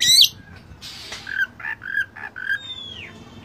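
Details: Oriental magpie-robin (kacer) in a training recording of rich filler song: a harsh buzzy burst, then a noisy rasp and a run of short whistled notes, ending in a long falling whistle.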